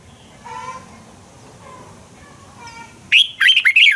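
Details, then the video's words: Red-whiskered bulbul fighting song used for bird training: faint distant whistles at first, then a loud close phrase of quick, tumbling warbled notes in the last second. "Luyện chào mào hót sáng hay Dùng để thúc bổi căng hót, ép giọng rất hay, chào mào hót đấu"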